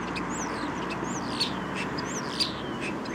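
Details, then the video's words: A common Starling sings in a city, seemingly trying to outsing the urban noise: high, sliding whistles and sharp clicks about once a second over a steady roar of traffic. "Скворец Голос поёт пытается перекричать шум города"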